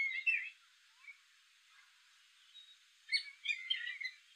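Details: Gray catbird calling: a short burst of scratchy, chirping notes at the start, a faint note near one second, then a jumbled cluster of squeaky, slurred notes after three seconds. Otherwise quiet.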